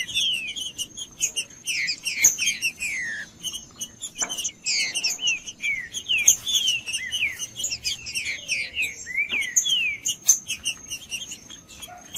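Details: Green-winged saltator singing at length to warm up other saltators and school young birds: bursts of clear descending whistles and sharp chirps, dense in places and broken by brief pauses, with a steady high whine and occasional clicks.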